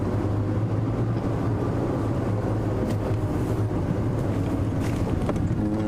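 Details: Steady low engine rumble from a safari drive vehicle on a sunrise drive, with no animal calls standing out above the continuous hum.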